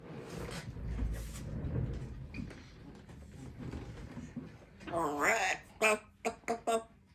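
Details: A baby African grey parrot practising her words in an office in the afternoon breaks a quiet room hum with a rich, wavering word-like phrase, then four short sharp clicks and squawks in quick succession.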